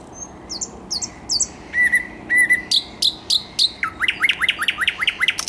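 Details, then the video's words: Thrush nightingale singing on 10 May 2021: varied phrases of clear whistles, then sharp repeated clicking notes, then a fast series of about eight rising whistled strokes, over steady background hiss. "Słowik Szary"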